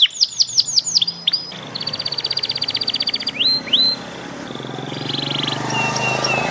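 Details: Young Panda canary learning to sing: a burst of quick upswept whistles, then a fast, even, buzzy trill of rapid pulses, two rising slurred notes, and softer scratchy twittering that trails off at the end.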